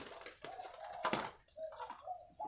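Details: Spotted dove, a kept bird judged for its voice, giving soft, low, hollow coos in short rolling phrases, with sharp knocks and clatter in an indoor space between them.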